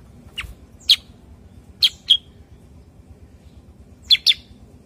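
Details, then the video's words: Cucak kurincang, a bulbul also called kutilang sutra or kuniran, giving scattered sharp, high chirps in pairs and singles with pauses between them. Faint low background hum. "kicau cucak kurincang"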